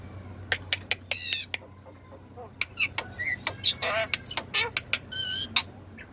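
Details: Black-winged myna in vigorous song: a quick jumble of sharp clicks, harsh squawks and short whistled notes with stacked overtones, loud bursts mixed with brief pauses.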